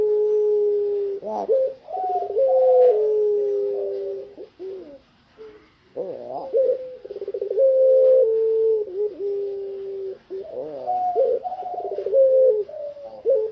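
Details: Spotted dove, very tame and calling outside its cage, producing long, deep, steady coos interwoven with quavering trilled phrases, with brief pauses between sequences and no other clear sounds.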